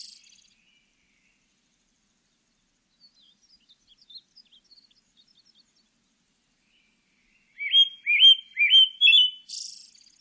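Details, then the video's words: Pale thrush calling: after faint scattered ticks, a quick run of five or six short downslurred whistled notes near the end, ending in a brief high buzzy note; otherwise quiet. "흰배지빠귀, 1번 듣기, 곤충소리, 새소리"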